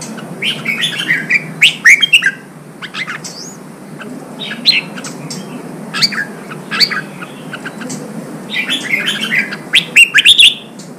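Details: ['Wild-caught red-whiskered bulbul urged into song as contest training; a long stretch of chattering, warbling whistled phrases, rising and falling quickly, with short pauses between bursts.']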